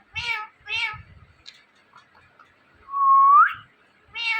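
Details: Indian ringneck parakeet kept at home mimicking a meow: two nasal harmonic meows, faint sounds, then a loud pure whistle rising at the end, and another meow.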